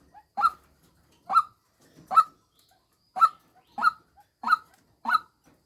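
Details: Female white-breasted waterhen used as a decoy bird, giving short harsh notes repeated roughly every 0.8 seconds, each a clipped nasal 'kwok' with a buzzy edge, in an otherwise quiet setting.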